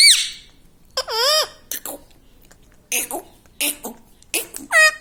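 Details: Pet parrot indoors that talks "mummy papa", uttering short separate bursts of wavy, harmonic, speech-like syllables with pauses between them, some rasping, ending on a clear rising note.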